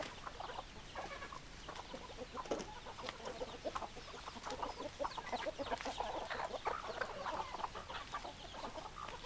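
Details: A flock of hens clucking: dense, steady chatter of short clipped clucks from many birds at once, rising and falling in waves over a constant background hiss.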